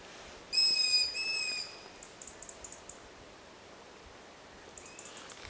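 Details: A long-eared owl chick begging for food gives a high, thin, squeaky whistle lasting about a second, like a creaking gate, followed by fainter, softer high begging notes from its siblings around the terrain.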